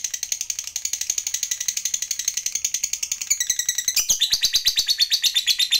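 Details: Lovebird in long trilling song used to provoke other lovebirds: rapid high chattering pulses, about three per second, bright and buzzy, shifting pitch midway into a harsher rattling run.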